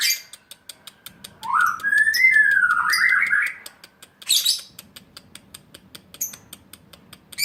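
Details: Caged pastel blue juvenile lovebird aged two and a half months, sparring in song with another lovebird: a sustained harsh, buzzy warbling run with wavering whistled tones, followed by short bursts and steady rapid ticking.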